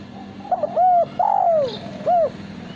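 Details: Male spotted dove, a cage bird bred for cooing competitions, giving one clean phrase: brief grace notes, a short coo, a long falling coo and a short closing note.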